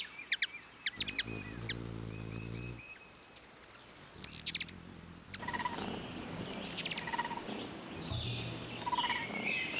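Ruby-throated hummingbird giving sharp, high, dry chips in quick bursts, scattered through the clip, with a low steady hum early and background rustle later.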